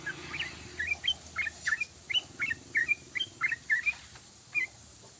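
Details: Rapid ropelan singing by a yellow-vented bulbul: over five seconds, about a dozen short, sharp whistled phrases with bouncing up-and-down slurs follow each other closely, then a brief pause before one final note.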